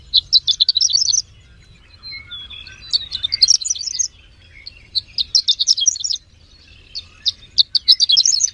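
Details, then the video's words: Horsfield's bush lark that finished third in a competition, giving clusters of rapid, high twittering and chirps separated by short quiet gaps, with a few lower whistled slurs. A low hum runs beneath. "SUARA BURUNG BRANJANGAN JUARA 3"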